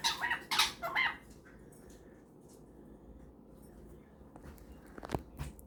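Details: Pet cockatiel chatting with a superb parrot before bedtime gives three harsh, scratchy squawks in the first second, then near quiet with faint clicks and rustles, and a brief raspy burst near the end.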